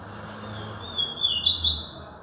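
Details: Yellow-bellied seedeater from Alagoas, Brazil, giving a short song phrase: a thin drawn-out whistle that breaks into a quick, louder buzzy trill near the end, with faint low rumble underneath.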